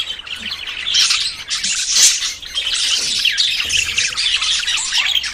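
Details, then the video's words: Courting budgerigars close to breeding give a busy flock chatter of scratchy squawks and quick rising chirps, overlapping constantly, with a louder burst near the middle. "CON ESTE AUDIO TUS PERIQUITOS SE APAREARÁN"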